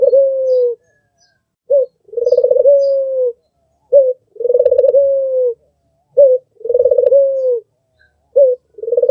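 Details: White albino Barbary dove with red eyes, kept as a tutor bird, giving repeated coos: brief opening note, then a pulsing, vibrating coo easing into a smooth sustained tone, each phrase about two seconds apart.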